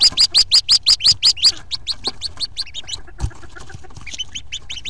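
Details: Fourteen newly hatched Hooded Merganser ducklings in a nest box, April 2nd, 2014, around their 11:05 AM exodus; a loud burst of sharp, regular high peeps, then a quieter, looser chorus of chirps with one low thud.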